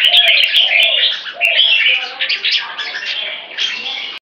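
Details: One of three open tail jambuls in training, in warmer sunny weather after cold wet spells, pours out a continuous high, chattering warble of quick twittering notes and slurred phrases, with a few sharp clicks at the start.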